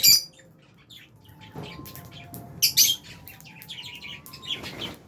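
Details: Lovebirds, albino and Fisher's, in an aviary: a loud shrill chirp opens, then a stretch of busy soft twittering and scratchy high notes with a couple of louder squeaks, over low background noise.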